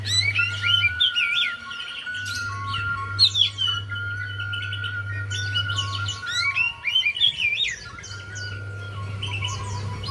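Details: Javan white-eye song used to stimulate a quiet bird: repeated bursts of fast, high, twittering warbles, with a steady pure tone running underneath and a low electrical hum.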